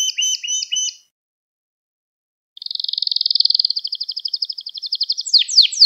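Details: Canary song for tutoring young canaries: a few chirping double notes, a pause of silence, then a long fast trill that ends in loud downward sweeps.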